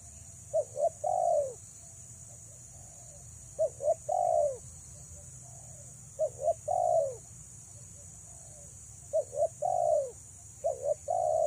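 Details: Over eleven seconds a female spotted dove luring males repeats five phrases of quick double coos and a long falling coo, spaced about two to three seconds apart, with a steady high hiss behind.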